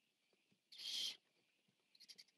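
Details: Largest Barn Owl owlet eating, recorded 14 September 2015 on a nest camera: one harsh, breathy hiss lasting about half a second, then faint ticking and rustling sounds.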